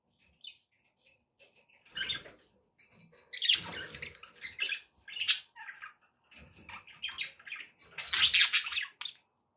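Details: Pet budgies chattering to encourage a parrot to eat and sing: irregular high squeaks, scratchy chirps and buzzy bursts, rising to a loud rasping phrase near the end.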